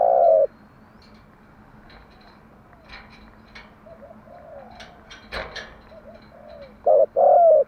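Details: Spotted dove cooing at morning, a lure song for training doves: a loud coo at the start and a double coo at the end, with scattered chirps and clicks of other birds and soft murmuring between.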